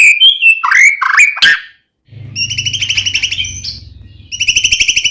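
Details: White-rumped shama song used to provoke another shama: opening slurred whistles, then a long fast buzzy rattle of repeated notes, broken briefly and resumed, with low hum underneath.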